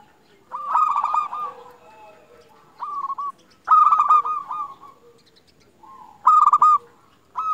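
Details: Local zebra dove singing, intended to stir other zebra doves into song and raise their mating drive; loud stuttering coo phrases about every two to three seconds, with soft wavering notes and quiet gaps between.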